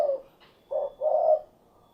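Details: Low soft cooing from a spotted dove, called tekukur: a brief tail of one note, a pause, then a short coo leading into a longer warm hooting note.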